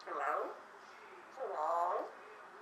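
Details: A talking female Eclectus parrot kept in a house, whose voice has risen slightly since she was acquired at two and a half, speaks two short word-like phrases separated by a pause.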